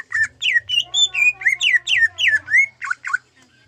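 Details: Gayo greater green leafbird singing with zebra dove phrases learned into its song: quick series of loud slurred whistles and downward-curving notes, about four per second, ending in two buzzier notes and a brief pause.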